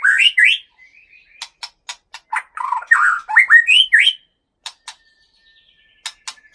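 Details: Aceh white-rumped shama in captivity, Gunung Leuser bloodline: rich swooping whistles and warbled phrases mixed with sharp ticks, then quieter spaced clicks and a faint thin whistle.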